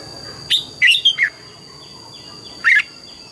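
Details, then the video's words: Morning song of a red-whiskered bulbul, forest-style double notes: a bright whistle, a quick tumbling three-note phrase, a pause, then one more clear rising-falling whistle, against a constant high tone. "Luyện giọng chào mào hót sáng, ép chào mào hót âm kép già rừng hay tuyệt!"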